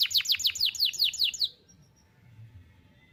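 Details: Canary song for training young canaries: a short burst of about ten sharp downward-sweeping notes over one and a half seconds, then near silence.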